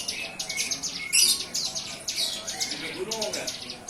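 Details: Young bar-winged prinia, recently hand-fed, starting to sing: dense run of high, sharp chirps and short buzzy notes, with a louder harsh burst near the middle and faint low background sounds.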